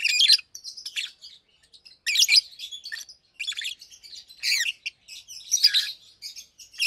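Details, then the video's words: Daytime chatter of two healthy adult Fischer's lovebirds kept in cages; rapid, scratchy high chirps in clustered bursts, with softer twitters filling the gaps between louder outbursts. "Lovebirds Chirping, Lovebirds Singing - Two Agapornis Fischeri"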